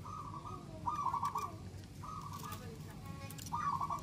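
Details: Local zebra dove song meant to prompt other doves to sing: repeated rolling trilled coo phrases, some louder than others, partly masked by heavy broadband background noise.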